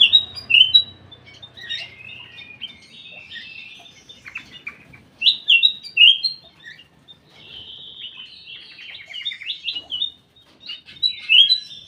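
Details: Ruby-throated bulbul inside a private aviary, with lively runs of chirpy whistled notes in several bursts separated by brief pauses; a faint low hum at the start.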